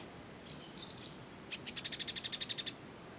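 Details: A sunbird known in Indonesia as kolibri ninja sings for bird-training use. Soft high twitters lead into a loud, even trill of around twelve quick buzzy notes.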